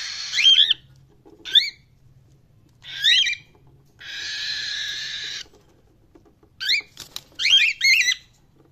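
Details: Cockatiel chirping: short, bright, sharply bending chirps in quick clusters, spaced irregularly over several seconds, with a steady harsh hissing rush lasting about a second and a half midway and a few clicks near the end.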